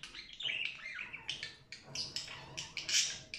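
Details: Dense, busy chatter from a budgerigar, with scratchy and twittering notes tumbling over one another, rising into a louder squeaky flourish near the end.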